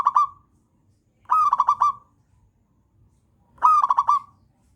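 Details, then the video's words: A local wild zebra dove repeats its trilling coo three times, roughly every two seconds: a clear opening note followed by a fast string of bubbly pulses at a steady mid pitch, quiet between phrases, used as a master song. "masternya perkutut lokal alam pemancing bunyi"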